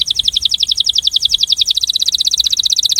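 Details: Breeding male canary giving an attraction song: a steady, very fast trill of bright, pulsing notes, about fifteen per second, kept up without a break.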